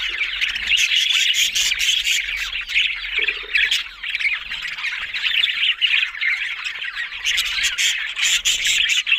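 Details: Australian parrots, budgerigars, keep up loud squawking chatter, rapid rasping chirps and warbles stacked together, with crisp clicking bursts at the start and end and a soft low hum below.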